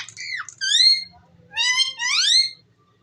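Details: Ringneck parrot talking in a small room: a dipping squeaky note, then rising harmonic syllables in two quick bursts separated by a brief pause.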